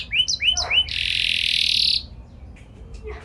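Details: Canary in full song with a special style, used to get other canaries answering: three quick rising whistled notes, then a loud hissing buzz held for about a second, fading to faint sounds.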